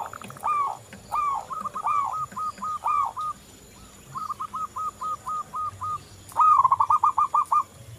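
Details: Local zebra dove in lively song: repeated phrases of bouncy, trilled coos, each breaking into short separate notes, with pauses between phrases and a fast, loud rattling series near the end.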